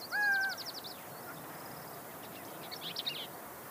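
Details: Pyrrhuloxia, or desert cardinal, opening with a rapid high trill, then a clear drawn-out whistle with a lower echoing overtone, followed by quiet background and a faint buzzy burst of notes near the end.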